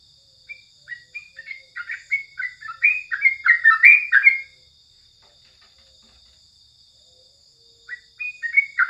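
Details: A crucukan (sooty-headed bulbul) sings in the morning, used as a training recording: a run of warbled whistles that grows louder and denser, pauses for about three seconds, then resumes with a few more whistled phrases. A faint continuous high hum underlies it.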